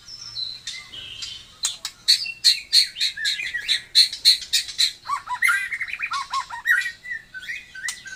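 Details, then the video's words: White-rumped shama, a Taiwan murai: loud varied song of sharp high whistled notes repeated several times a second, then lower warbled, rising and falling phrases. "burung murei taiwan super mantapppp suara josss"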